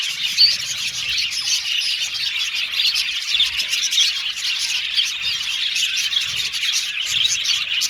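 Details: Budgerigars in an aviary colony singing and chirping: a dense, continuous chorus of high twittering, warbling and short chirps that overlap without pause for the whole stretch.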